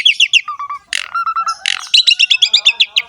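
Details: Short burst of Asian pied starling song with quick chirped notes, a harsh rasp, a nasal held tone and a rapid run of bright repeated notes.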